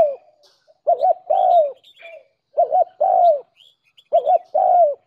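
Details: Spotted dove decoy call used to lure doves; three phrases, each a quick doubled hiccup note followed by a longer, slightly falling coo, with soft high chirps between.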